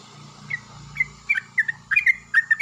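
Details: Morning song of a Yellow-vented bulbul, answered loudly by another bulbul, kept as a lure to prompt singing: short liquid notes, sparse at first, then quickening into bubbly pairs and triplets, with faint low hum beneath.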